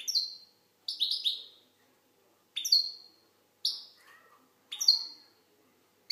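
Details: Algerian goldfinch giving clear high downward-sweeping chirps, some in quick pairs, roughly one per second, plus a brief lower twitter, with a soft hum in the background.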